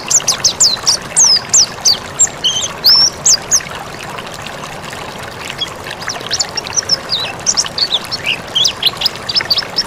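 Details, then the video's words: Mountain white-eye song recorded as training material for other birds: quick bursts of high, sharp chirps and squeaky slurred notes, a quieter stretch midway, then renewed rapid chattering phrases above steady background hiss. "Masteran pleci MONTANUS gacor"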